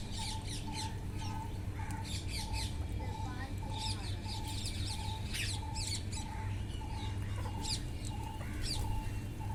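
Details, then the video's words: Wild parrots eating: bursts of shrill, scratchy squawks and chatter, with a steady mid-pitched beep repeating roughly every second and a low rumble underneath. "wild parrots // eating talking // natural sound"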